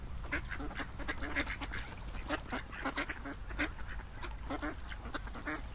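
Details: Flock of ducks giving rough, repeated quacks in quick irregular succession over a noticeable low-pitched background rumble.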